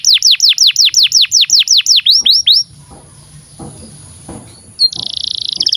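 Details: Canary singing, used to train young canaries and silent birds to sing. A rapid, steady trill of high, descending whistled notes lasts about two and a half seconds, then quiet, then a harsh buzzing rattle at the end.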